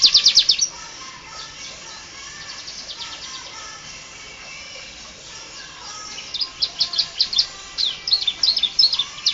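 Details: Canary song with full variety, used to train other birds: a brief burst of quick high trills opens, a quieter stretch of soft warbling follows, then sharp repeated chirps and trills return strongly toward the end.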